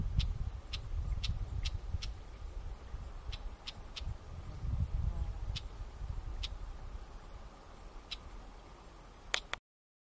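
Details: A shrike (lesser grey shrike, though also described as a red-backed shrike) in a floodplain meadow on the Neman river near Prusinovo, Uzda district, Minsk region, Belarus, is upset by intruders in its territory. It gives dry, clicking chacks at an uneven pace, roughly one or two a second, and flicks its tail.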